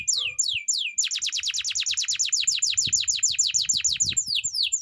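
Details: Singing canary: a few long falling whistles, then a fast regular series of sharp downward-swept notes around four per second, with faint low knocks behind.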